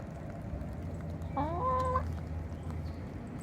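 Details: Chicken on a cool sunny day: a single drawn-out harmonic call lasting about half a second, slightly rising then level, over a steady low rumble of background noise.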